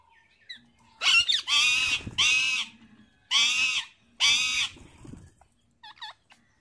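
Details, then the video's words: Wild parrot eating seeds, giving four loud, harsh, raspy screeches of about half a second each in quick succession, followed by a few brief high chirps near the end. "jungali parrot Dana khate hue"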